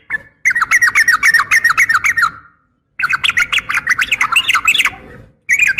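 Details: Female yellow-vented bulbul calling to a male: two bursts of rapid, bubbly chattering notes, each about two seconds long, separated by a short silence, with a third burst beginning at the end.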